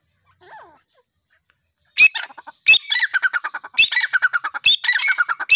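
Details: Grey francolin of the Dakhni type giving loud, harsh, grating calls: rapid rhythmic bursts of clipped notes repeated in phrases about a second apart, after a faint soft note at the start.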